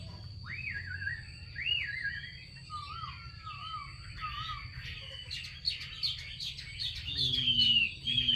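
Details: Female Chinese hwamei calling to stimulate males to sing: clear, slurred whistled notes rising and falling, with a looping phrase near the start and lower wavering trills. A fainter low rising note repeats near the end over a steady high tone.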